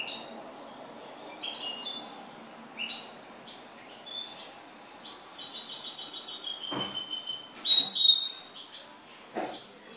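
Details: A pet goldfinch sings a run of thin, high whistled and twittering phrases over a soft background hiss, ending in a loud, bright burst of sharp trilled notes near the close.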